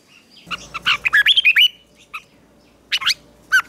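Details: Red-whiskered bulbul in morning song training for fighting song: a burst of fast chirpy whistled notes climbing and falling, then scattered short squawky calls after a gap, with faint background noise.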